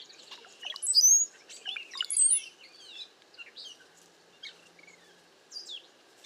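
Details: Cowbirds flocking together in a safe place in bad weather with strong wind. Very high, thin whistled slurs and squeaky notes, mixed with rapid chips and gurgling fragments in an irregular burst, then quieter sporadic calls.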